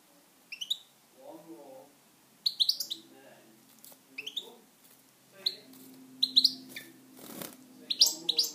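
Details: Pet European goldfinch singing scattered phrases of sharp, high twittered chirps and buzzy notes, interspersed with faint low warbling sounds and a brief noisy click near the end.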